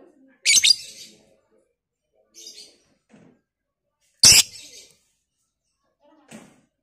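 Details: Lovebird of the Batman type, giving the long chattering song used as a lure to provoke other lovebirds. Loud, harsh, high bursts of rapid chatter, each about half a second long, come at irregular intervals with silence between.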